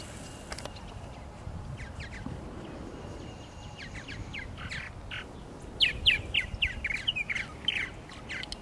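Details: Purple martins gathered at nesting gourds by Lake Mackintosh in Gibsonville, North Carolina: sparse, faint chirps at first, then a bright run of rapid, sharp, downslurred notes near the end.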